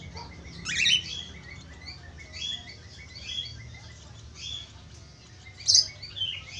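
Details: Budgerigars twittering as a lure for other budgerigars to start singing; gentle, continuous warbled chatter with a sharp squeak near the start and another bright squeak toward the end.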